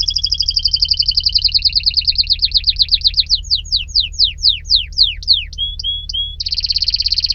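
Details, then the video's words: Canary song: a long rapid trill speeding into bold descending sweeps, a few short level whistles, then a fast buzzy trill to finish. ".تغريد طائر الكناري ...Nicest twitter canary"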